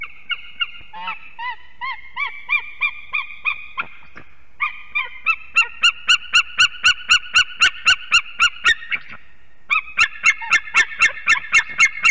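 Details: Morning chorus of two unringed adult eagles at a Ķemeri nest, Latvia, 8 March 2024 just after 6 am, during arrival and mating. Yelping notes repeat about four a second, pausing near four seconds, then resume louder and sharper in a long regular series.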